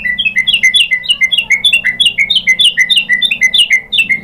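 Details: White-rumped shama singing to stir another bird into answering: a fast, continuous series of bright two-part whistled chirps, about three per second, high and sharp throughout.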